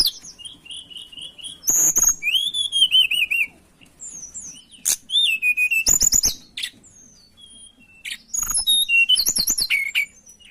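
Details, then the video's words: Mountain tailorbird song used as bird lure: high whistled runs and long wavering whistles in loud phrases, broken by crackling click bursts, with bright trilled notes recurring every few seconds. "Suara Pancingan Ampuh Burung Tledekan Gunung gacor dor"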